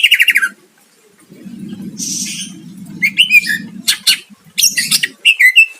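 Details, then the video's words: Greater green leafbird in full gacor song aimed at drawing a rival's reply: rapid stuttering notes, then a run of sharp whistles, chips and short slurs over a continuous low murmuring background. "Cucak ijo gacor mancing lawan dijamin Nyahut"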